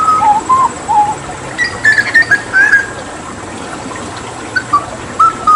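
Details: Hooded butcherbird from Papua whistling mellow looping notes, then higher sliding phrases, a pause of about two seconds, and a few final soft whistles.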